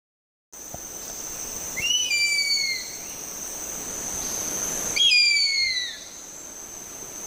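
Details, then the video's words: Harpy eagle calling: two high, thin wailing whistles, each sliding gently downward and lasting about a second, about three seconds apart. A steady high whine runs underneath throughout. "Harpy Eagle Calls."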